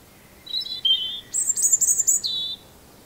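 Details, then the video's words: Robin singing one rich phrase: high warbled notes, then a burst of very high, rapid twittering, ending on a clear lower whistled trill, in a quiet setting. "Beautiful singing of robins"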